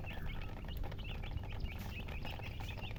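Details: Newly born chicken chicks peep loudly and steadily, with sharp high notes bending up and down in quick succession from several chicks, over a low rumble with faint thuds.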